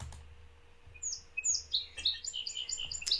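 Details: Song sparrow singing in sunny wet fields in early spring (March), northeast Ohio: a lively, high-pitched phrase of bright notes and quick buzzy trills after a quiet start, with a few soft clicks and a low rumble beneath.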